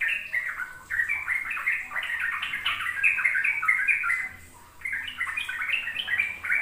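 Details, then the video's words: Ropel-style song of a sooty-headed bulbul, meant to prompt young bulbuls to learn: fast, chattering warbles in quick bursts with a short dip in the middle, then the rapid phrases resume. "Pancingan trucuk agar trucukan BAHAN PAUD ikut belajar ropel"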